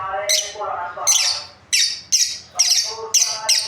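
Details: Breeding pair of pet lovebirds chirping: sharp, harsh broadband chirps, high-pitched and shrill, given in quick bursts of one or two, about seven in under four seconds, with fainter lower tonal chatter between them.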